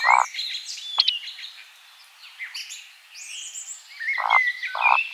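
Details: A Eurasian woodcock displaying in flight over a spring forest at nightfall gives short, low croaking grunts at the start and twice near the end, with a sharp squeak, while busy high twittering from other birds fills the background.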